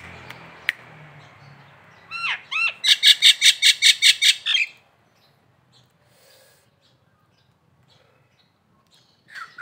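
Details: Local Nias hill myna serving as tutor song: two or three rising slurred whistles lead into about ten loud, ringing, harmonic-rich notes repeated rapidly and evenly, then silence with a faint note at the end.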